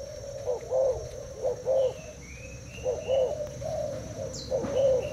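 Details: Spotted dove, Thai type, caged, in a cooing duel with a decoy bird: separate bubbling coo notes in groups with short gaps, plus thin high chirps from small birds nearby.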